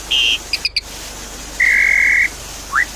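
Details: Javan pied starling giving a short level whistle, a few clipped notes, then a long steady whistle and a brief rising upslur, as a lure to restart a bird that stopped singing.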